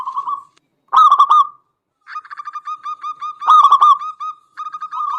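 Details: Zebra dove of local stock, a strong singer whose voice is used to provoke rival doves: loud throbbing coos alternate with long runs of soft, evenly spaced cooing beats.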